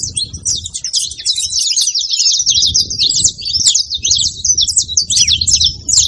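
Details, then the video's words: Saffron finch song, played to fire up a quiet canary: continuous fast chatter of high chirps and rolling trills, densest early, with low rumbling background throughout. "canto de canário da terra junto pra foguea e esquentar seu canário frio"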